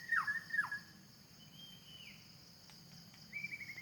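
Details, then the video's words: A wild white-rumped shama singing in forest: two quick downslurred whistles at the start, a thin drawn-out whistle dropping at its end, and a short bright note near the close, with constant insect drone and a low hum behind. "the sound of birds in the forest.wild white rumped shama"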